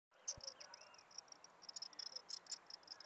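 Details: Blue-black grassquit held in the hand, singing, giving a run of very high, thin, buzzy notes in quick succession over a soft hiss, with a faint low click near the start.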